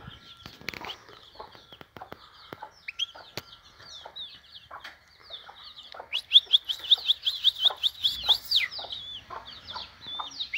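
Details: European goldfinch singing in the vanlı melik style. Scattered clicks and chirps come first, then a fast, bright twittering run of rising and falling notes for about three seconds, with a faint steady hum in the background.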